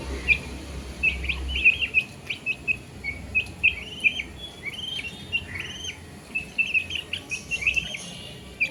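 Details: Chirping baby chicks give a busy stream of high, thin peeps, some drawn out and slurred up or down, at an uneven fast pace over constant low background noise.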